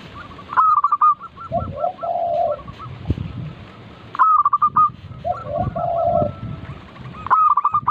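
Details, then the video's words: Local zebra dove in full song, played as a lure to get other doves singing: a loud stuttered opening, a run of rapid hooked cooing notes, then lower drawn-out coos, repeated in two phrases. "Pancingan burung perkutut lokal gacor - 100% bikin cepat bunyi langsung nyaut manggung"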